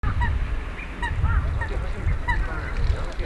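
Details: Wild Eurasian wigeons at the Nisanzai burial mound, a World Heritage site in Japan. Short whistled notes come from several birds, sounding every half second or so. A steady low rumble of wind or distant traffic runs underneath.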